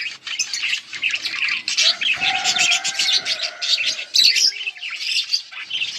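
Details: Budgerigar chatter recorded August 15, 2024: high overlapping chirps and warbles, with a steady lower whistled tone sustained through the middle seconds beneath the twittering.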